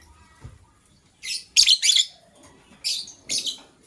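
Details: Gray and yellow-green lovebirds chirping in the morning, a gray hen ready to lay eggs: a quick run of three loud scratchy chirps, then two more after a short pause, over faint background rustle.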